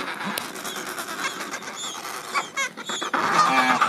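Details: Adélie penguin colony at the end of summer, when young birds are shedding their last chick down before their first swim: harsh braying calls overlap in a steady din, with a few louder grating cries rising near the end.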